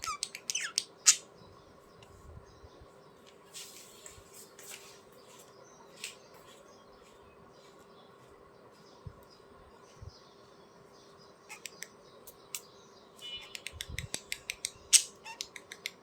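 Budgerigars give sharp, scratchy squawks and quick chirps in bursts, with quiet gaps between.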